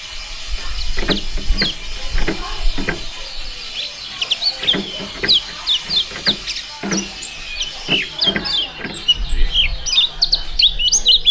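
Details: Young competition songbirds singing a duet: many short, sharp high chirps and quick whistled slurs repeat throughout, mixed with knocking thumps and low background noise.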